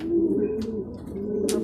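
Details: In Guiguinto, Bulacan, racing pigeons back from a second truck training release give soft, low coos in two drawn-out phrases, with a sharp flutter or scrape near the end.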